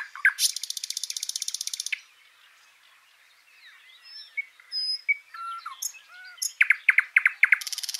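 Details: Garden birds in Washington State: a fast buzzing trill of almost two seconds, then a quiet stretch of soft mixed chirps and whistles. Rapid loud notes and another buzzy trill close it.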